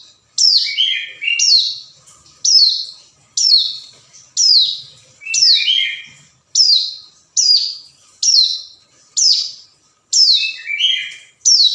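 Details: Hill prinia calling to a rival, used as a lure: sharp, high descending notes in bursts of about one per second with short buzzy tails, steady and clean with no other sounds.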